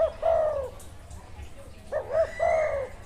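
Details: Spotted dove in the wild with good karam: a long falling coo, then after a pause a phrase of two hoots and another long downslurred note, over background hiss.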